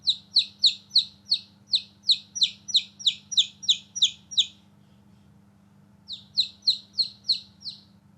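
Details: Shrill peeping from newborn baby chicks at play outside: a long even series of falling notes, roughly three a second, then a gap of over a second before another run begins, over a faint low hum.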